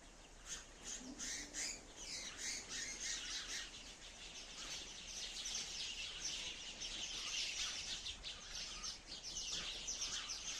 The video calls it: Real sound of beautiful sparrow